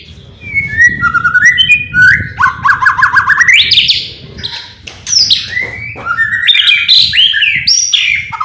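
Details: Provoking song of a white-rumped shama, meant to make other birds sing along. Stepped whistles lead into a fast rising trill, followed by scattered loud sweeping notes over a low background hum.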